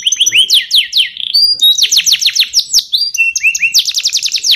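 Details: Yellow canary delivering training song: series of quick downward-sweeping whistled notes repeated in rhythmic runs, brief steady tones between them, then a fast trill of rapidly repeated chirps, clear and close.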